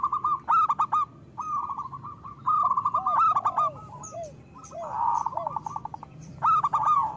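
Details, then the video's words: Lure song from a local zebra dove meant to stimulate other kept doves to sing: repeated bursts of quick trilled cooing with drooping hooked notes between them, a faint high chirp from another bird midway. "Perkutut lokal gacor Suara Besar Pancingan Dijamin Langsung Gacor"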